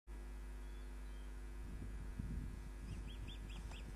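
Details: Osprey at its nest, picked up by a live nest camera on 29 June 2010 at 22:34: a short run of about six sharp, high chirps near the end, over a steady electrical hum and low rumbling.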